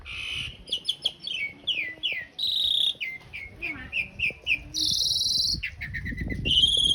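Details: Asian pied starling training song with coarse long-roll filler: series of falling whistled notes, broken by harsh broadband rasps and a loud hissing burst, with faint low background noise.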